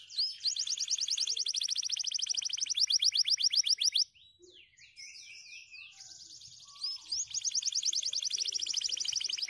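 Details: White canaries sing on dry stalks: a fast even trill of repeated notes lasting about four seconds, a short break of chunky stepped notes, then the same rapid trill again.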